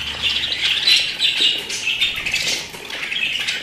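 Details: Pet budgerigars in brief bright chatter, quick squawks and chirps tumbling over one another, fading slightly toward the end.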